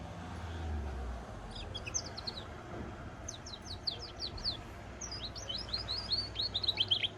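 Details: Hybrid of goldfinch and canary singing in phrases of quick, high chirps and slurred whistles, each phrase separated by brief gaps, growing busier toward the end; low hum behind.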